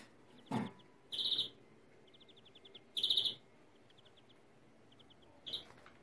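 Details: Greenfinch in 'kekeme yelve' stuttering song: two strong buzzy trills and a shorter final one, separated by soft rapid ticks, with one sharp knock near the start.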